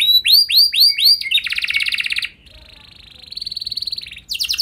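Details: Canary singing as a lure to make other canaries sing long rolls: four looped whistles, then a dense buzzy roll, a softer sustained trill, and a sharp burst at the end.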